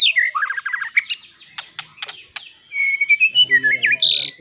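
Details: Provoking White-rumped shama song: a quick series of descending piping notes, a few sharp clicks, then a run of sweet whistled slurs and a twisting flourish, with a thin steady high tone throughout.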